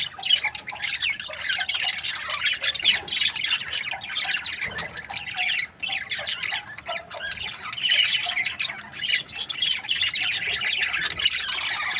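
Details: Breeding pairs of budgies chirping together: a dense, continuous chatter of high scratchy warbles and squawky notes from many birds, steady throughout with only a brief dip midway.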